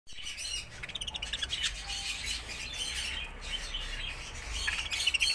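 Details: Show budgerigars kept for sale in Bangalore chatter together in a busy mix of high, scratchy warbles and sharp chirps.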